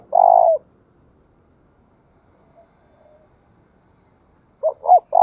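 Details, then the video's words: Decoy spotted dove luring wild doves: the clip opens on the tail of a long rolling coo and, after a quiet gap of about four seconds, closes with two short hoots starting the next phrase. "chim cu mồi gáy hay dùng kích bổi rất hiệu quả"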